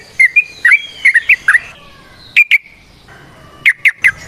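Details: Trucukan (yellow-vented bulbul) in varied song: a quick cluster of slurred, squawky whistles, a pause, a double note, then three sharp chirps at the end.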